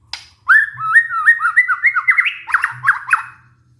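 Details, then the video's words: Lure song from a white-rumped shama, for prompting a stressed bird that went quiet to sing again. Rolling sequence of bright slurred whistles, evenly spaced, turning into harsher, buzzier notes at the end. "pancingan murai batu macet bunyi karena stres"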